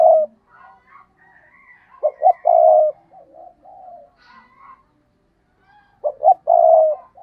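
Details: Decoy spotted dove giving the stammering 'gù cà lăm' coo to stir up rival birds: two loud stuttered phrases ending in held mellow coos, separated by soft, quieter cooing notes.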